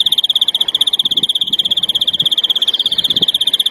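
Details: European greenfinch singing a larguero-style song used to teach young birds: a fast, even rolled trill of rapid pulses at one steady high pitch, running unbroken through the whole stretch, with faint low rustling underneath.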